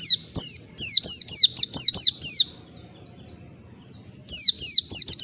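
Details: An Oriental white-eye delivers its ngalas, the wild-type song meant to rouse rivals: a long run of about nine rapid, high, falling whistled notes, a silent pause, then another quick burst of similar notes.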